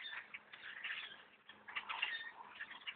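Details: Thousands of blackbirds overtaking a bow hunter's tree stand, forming a dense, continuous chorus of harsh chattering and squeaky calls that rise and fall in waves across the whole stretch.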